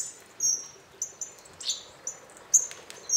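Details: Hawfinches, a flock regularly visiting a feeder on an old pig house in a Hungarian back garden. Piercing high clicks and brief drawn-out thin notes, irregularly spaced, against near silence.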